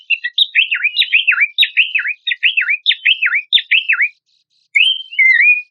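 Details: Horsfield's babbler song from a training compilation for competition birds: repeated downslurred whistled notes in quick groups, then a pause and a final pair of smooth whistled slurs.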